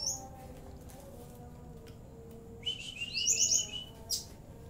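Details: Oriental white-eye singing a song filled with CiLiLin, bren and cigun phrases. After a quiet start, a short burst of rapid high chirps rises over a thin whistle, then a single sharp high note follows against faint background hum.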